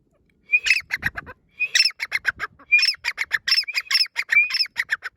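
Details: Grey francolin calling in the breeding season: loud series of harsh, rapid, high notes, each burst opening with a thin rising whistle, bursts repeating about once a second with brief pauses between, no other sounds clear.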